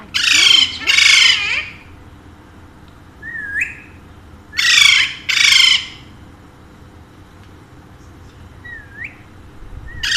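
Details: Pet Alexandrine parakeets, two birds said to speak Urdu and Hindi, give two pairs of loud harsh squawks several seconds apart, with short thin rising whistled notes between them.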